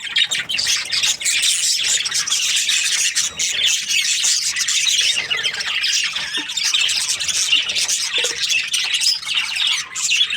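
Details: Australian budgies, happy and in breeding season, keep up unbroken flock chatter: rapid, high, twittering chirps mixed with scratchy squeaks and squawks, layered over one another.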